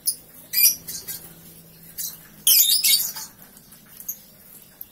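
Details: A three-month-old lovebird doing ngekek straight after waking: a few isolated high squeaky chirps, then a half-second burst of fast, harsh chatter in the middle, tapering into faint scattered chirps.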